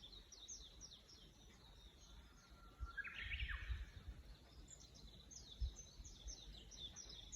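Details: Morning birdsong outdoors: several birds overlap in quick high chirps and short trills, with a louder rising-and-falling warbled phrase near the middle, over a steady low rumble of background noise.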